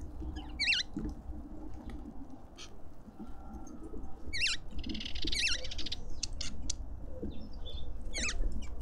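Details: Lovebirds at a suburban garden feeder in Pretoria, South Africa: sparse, shrill, looping squeaks in small clusters, with a short raspy buzz in the middle, over a steady low rumble.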